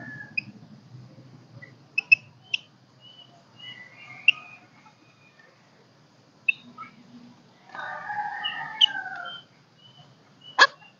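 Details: Golden-crested myna in a cage, singing to rouse birds and call a flock, its song not yet at full strength: scattered high whistles and clicks, then a buzzy harsh burst near the end and a loud snap.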